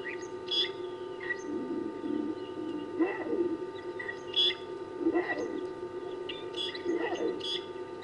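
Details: Fork-tailed drongos singing at 17:20 on 17 June 2019: a jumble of short metallic chirps and twangy notes scattered through the clip, over a steady background hum.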